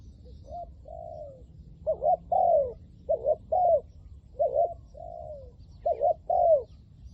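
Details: Thai decoy Spotted dove calling to attract wild doves; brief quiet note, then groups of loud hooting coos, each a clipped double note followed by a long falling one, repeated in three phrases over low hum.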